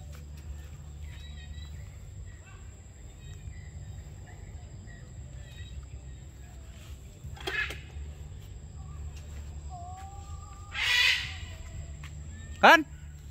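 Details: Free-flying macaws in Cambodia at 7 pm: a few faint whistled notes, then three harsh, raspy squawks around eight, eleven and near thirteen seconds, over steady low rumbling background noise.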